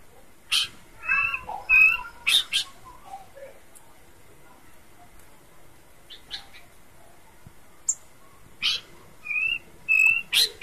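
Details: Horsfield's babbler singing actively in its characteristic voice: short level whistles around mid pitch alternating with sharp, explosive chip notes in irregular bursts, quiet gaps between phrases.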